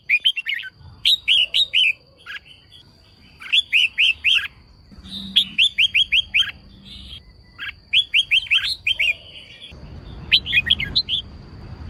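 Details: Red-whiskered bulbul female singing to stir up males, giving quick clusters of four or five sharp, slurred whistled notes in rapid phrases separated by brief gaps, with a thin constant high hum in the background and low rustling.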